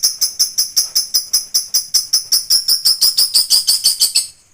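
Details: Lovebird singing at home: an even, fast series of sharp, high, rasping chirps, repeated almost three times a second and fading at the end.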